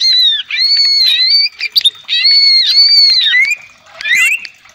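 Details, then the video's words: Cage-kept cucak ijo (greater green leafbird) giving long, sustained whistled phrases with rising and falling inflections, broken by brief clicks and ending in a twisting, chattering flourish. "Pancingan Cucak ijo agar gacor,naik emosi,kongslet,nembak"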